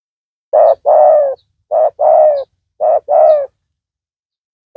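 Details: Spotted dove used to lure a rival with its loud call; three regular phrases of a short coo and a longer falling coo, about once a second.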